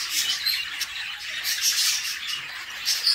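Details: Harsh, continuous chattering squawks from budgerigar chicks in a nest box while the mother feeds them, with short sharp peaks over a steady raspy wash of sound.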